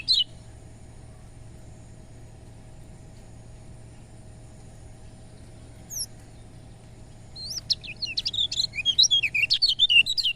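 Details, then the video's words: Lemon-bellied white-eye: a single chirp, a long quiet stretch with a faint high note, then a dense burst of fast, high twittering in the last three seconds. The song serves to excite reluctant birds to sing. "Suara Kecial Kuning || Buat Dongkrak Tensi Kecial Kuning Malas Bunyi"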